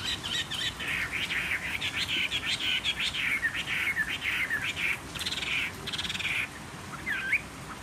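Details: Chinese hwamei, a caged wild-caught fighter of three seasons, sings on a table with a slightly hoarse voice: a long, nearly continuous stream of fast, loud, varied whistled and warbled notes, closing with a twisted whistle.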